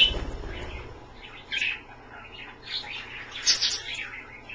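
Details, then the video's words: Pet Australian parrots at bath time in a dish, a low thump at the start followed by scattered high chirps and squeaky notes. "the Aussie birds take a bath"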